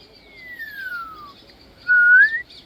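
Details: An African grey parrot gives a long, smooth whistle gliding steadily downward, then after a short gap a louder, brief rising whistle.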